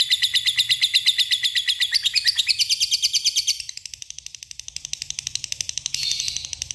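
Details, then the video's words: Long ngekek trill from a lovebird calling a rival, rapid high chattering pulses that climb briefly in pitch, then fade quieter for a moment before a brief louder burst near the end. "Akirnya mau ngekek juga di depan kamera"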